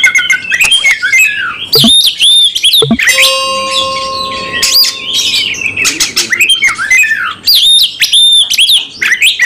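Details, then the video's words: Oriental magpie-robin singing in aggressive fighting mode with full repertoire: loud, rapid whistled and buzzy phrases with sharp up-and-down sweeps, broken by a steady tonal hum with harmonics midway through. "KACER LANGSUNG TARUNG ngotot bongkar emosi full materi"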